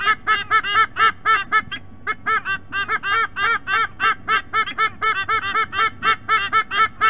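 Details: Adult white-bellied sea eagles at a nest camera at BirdLife Australia Discovery Centre, Sydney Olympic Park, calling together: rapid goose-like honking notes, about four a second, in a loud steady series with a low background hum.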